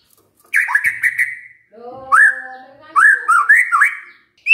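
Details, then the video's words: Lure song of a white-rumped shama meant to get other shamas answering; clear ringing whistled phrases with upward flicks, separated by short pauses, over a faint low drone. "pancingan murai batu ini bikin GAMPANG NYAUT murai lainnya"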